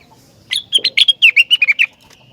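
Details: Rengganis in lively, persistent song that makes other rengganis sing in response: a rapid run of about a dozen short, sharp whistled notes, each dipping slightly and strung together in about one and a half seconds.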